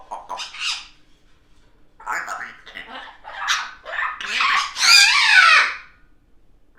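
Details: African grey parrot in a chatty morning mood, giving a run of speech-like babble and squawky phrases with rising and falling tones, ending in a loud, bright, drawn-out squawk.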